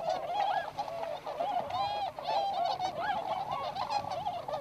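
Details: Flock of tundra swans, including whistling (American) tundra swans, at a wintering site in Inzai, Chiba, Japan: a constant chorus of overlapping mellow, high-pitched whoops and honks, several birds calling at once.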